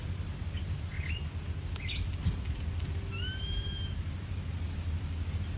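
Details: Bulbul parents defending their chicks from an ant attack: a clear, drawn-out whistled note of nearly a second, steady then slightly falling, preceded by a few faint short chirps, over a low rumbling background.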